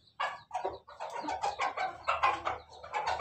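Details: Pelung chicken, a kept bird, recorded 17 May 2024 in laughing-style crowing: a quieter series of short, rough, chopped bursts repeated about every third of a second without a long held note.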